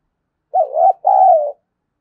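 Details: Spotted dove coo for stimulating young doves to coo fast: a low, throaty, undulating first note, a short break, then a longer, smooth second note that tapers and falls slightly. Otherwise silent.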